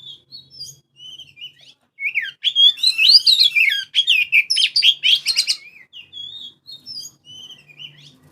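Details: Oriental magpie-robin in full song, meant as a day-and-night lure for other birds: soft thin whistles swelling into a loud, fast run of varied chattering and slurred notes, then easing back to scattered quiet whistles.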